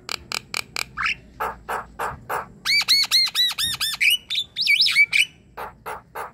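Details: Javan myna chattering song used to coax a quiet myna into singing: short harsh squawky bursts at a steady pace, then a run of ringing, arched whistles repeated about every quarter second, ending in wavering whistled notes and more squawks.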